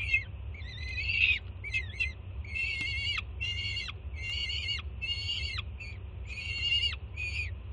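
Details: Harsh, harmonic screams from a young peregrine falcon greeting its first-time mother bringing food to a Jersey City nest, June: a rapid series of about ten short screeches, some broken into stuttered notes, above a low rumbling hum.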